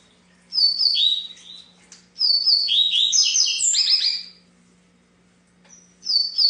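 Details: Double-collared seedeater delivering a longer, dense run of rapid high whistles and slurred notes for about two seconds after a short opening phrase, then silence before the song resumes; a faint low hum persists.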